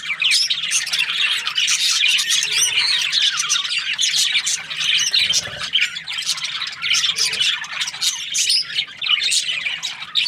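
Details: A group of chirping budgerigars fills ten seconds with nonstop scratchy warbling, chattering squeaks and short rising whistles, voices overlapping densely with only slight dips in loudness.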